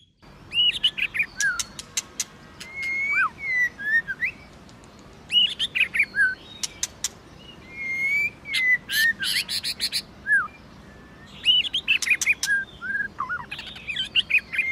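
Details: White-rumped shama in competition song with many voices: repeated bursts of looping, slurred whistles mixed with sharp clicks and harsh buzzy notes, phrases separated by short pauses.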